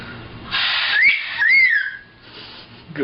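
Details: A macaw telling another parrot to shush: a long breathy "shhh", then a rising-and-falling whistled vocal, ending with another softer hiss.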